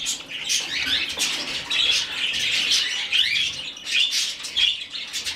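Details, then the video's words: Hand-fed rescued budgerigar chick begs with rapid, scratchy high chirps in uneven runs of about forty a minute, rising in short eager bursts over soft background rustling. "Выкармливание птенца волнистика."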